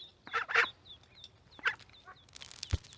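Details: Ducks in a pond with a duckling: thin high peeps repeated among a few rough, clipped quacks and a sharp knock near the end.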